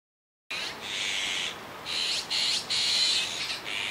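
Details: Juvenile azure-winged magpie at Kiba Park, 17 July 2019, giving harsh, hissing rasps in a run of about six bursts of uneven length, each broad and noisy, with brief gaps between them.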